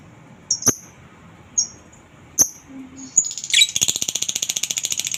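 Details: A lovebird used as a singing lure for other lovebirds gives three isolated sharp chirps, then breaks into a rapid, high, rattling ngekek chatter.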